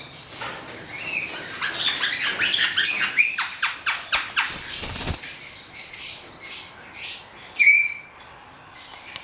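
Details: Hand-reared male black-headed caique uttering a run of rapid, harsh squawks that fade into scattered shorter calls, ending with a single sharp whistled note; faint background rumble.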